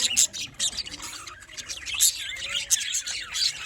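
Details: Group of budgerigars kept as pets in a small colony, chattering with high squeaky twitters and scratchy warbles, several birds calling over one another.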